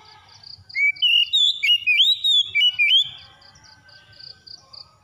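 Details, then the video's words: Oriental magpie-robin song played as therapy to get a bird that has stopped singing to sing again: a loud burst of varied, sliding whistled notes lasting about two seconds, over a steady series of high pulsed tones repeating several times a second. "TERAPI KACER MACET BUNYI CEPAT ON GACOR"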